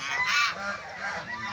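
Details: Angry, charging farm goose in Tagaytay, Philippines, loud whenever people approach; a strong harsh honk peaking early, then softer rasping honks trailing off, close to the recorder.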